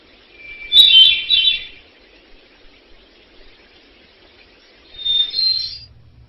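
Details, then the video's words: A thrush sings out in the wild: two bright phrases, each about a second long, of clear whistled notes with rapid trills, a few seconds apart over faint background hiss; a natural soundscape, not humanly organized. "which is a bird. It's a thrush that is singing out in the wild."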